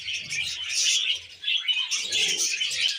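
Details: Pet budgerigars eating wheat germ, producing bursts of bright twittering chirps that briefly ease off mid-way before resuming, with faint low rustling.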